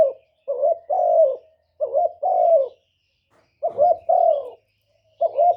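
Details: Spotted dove calling, as used to provoke and lure wild doves: paired mellow coos, a short note then a longer falling one, in three phrases separated by pauses of about a second, quiet background.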